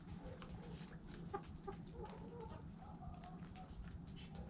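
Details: Hens clucking softly among a flock of chickens, short murmured notes repeated irregularly over a constant low hum and occasional scratching clicks.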